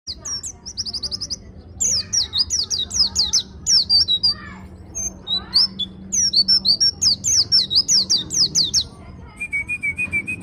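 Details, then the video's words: Dakun white-eye from Malang singing in the ngalas ngeroll style: rapid, varied high twitters and sharp chirps in dense bursts, with brief pauses between, a thin steady whistle near the end, and a low hum underneath. "Pleci dakun malang ngalas ngeroll"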